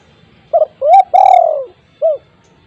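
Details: Spotted dove at home, recorded as a lure to set silent doves calling: two quick low notes, a rising coo, then a long drawn-out falling coo, and a short final note after a pause. Faint room noise underneath.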